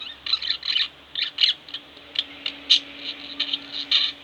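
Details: A pair of pet budgerigars chatter at home: bursts of harsh, buzzy chirps in rapid clusters with short pauses, loud and close.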